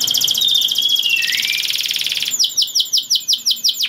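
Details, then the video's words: Canary singing to bring other canaries into breeding mood: a fast buzzy trill at high pitch, then a run of rapid descending whistled notes repeated about five times a second. "Kenari Gacor Satu Ini Pandai Untuk Naikkan Birahi Kenari Lain Agar Ikut Bunyi || Voice of Canary"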